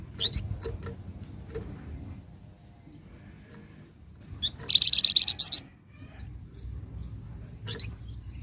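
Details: Singing scarlet minivet used as a lure for other birds, giving a short rapid volley of harsh high pulses between isolated sharp upslurred chirps, with low rumbling background.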